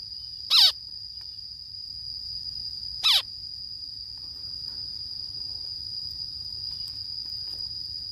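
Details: Zebra finch in the morning giving two short, nasal calls a few seconds apart over a steady high insect drone.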